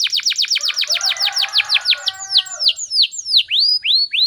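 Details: Canary singing gacor speed rapat style: a quick volley of sharp downslurred notes that slows into longer, separate sweeping whistles, each falling then rising, with a faint softer warble underneath.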